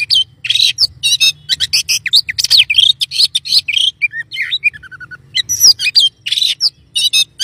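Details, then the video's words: Oriental magpie-robin in continuous, excited song intended to provoke other magpie-robins into loud singing: rapid chattering chirps and trills for several seconds, a short falling sequence of pure whistles, then renewed harsh, high bursts, over a low background hum. "kacer mana pun langsung emosi gacor dan ngobra"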